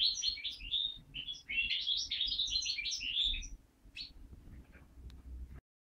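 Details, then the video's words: Captive-bred linnet × Waterslager canary mule from a 2012 breeding, singing a rapid, continuous twittering warble of high chirps and trills for about three and a half seconds, then a few sparse notes before silence; faint low hum beneath. "chant mulet linnot x waterslager"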